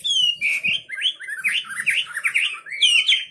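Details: Wambi bird singing energetically, a dense stream of zigzagging whistled notes rising and falling quickly, closing on a long, high, clear whistle.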